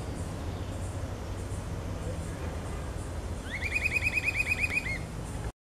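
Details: Grey-hooded Attila (Attila rufus) call: a quick run of about a dozen ringing, upslurred whistles that ends in a falling note, over a steady low rumble of distant traffic.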